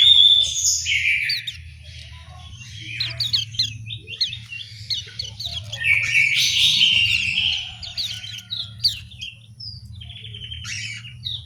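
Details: Orange-headed thrush in an aviary in Malang, East Java: varied whistles and quick chirps, with a louder warbled burst midway, set over a constant low mechanical hum.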